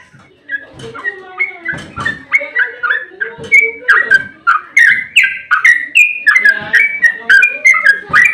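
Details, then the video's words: Sooty-headed bulbul in fighting mood, used to provoke other birds into singing: a long, fast run of rich liquid whistled phrases, each note sliding and chirping, about three per second, continuous and loud. "Trucukan GACOR ROPEL TERPANJANG buat pancingan trucuk agar cepat bunyi"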